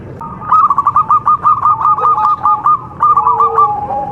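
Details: Zebra dove from Java, a local contest-grade bird, delivering a long run of about fifteen quick, evenly spaced coo notes, briefly pausing, then adding a shorter closing series.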